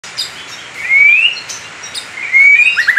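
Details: White-rumped shama in fighter style with loud 'tembakan' bursts: two long, clear whistles rising slowly, about a second and a half apart. A brief trill closes the phrase over a steady hiss.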